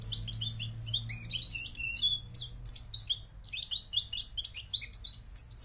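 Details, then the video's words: Moroccan goldfinch in full song: bright, quick chirping phrases and liquid high twitters run together without break, a low steady hum underneath. "jilguero marroquí"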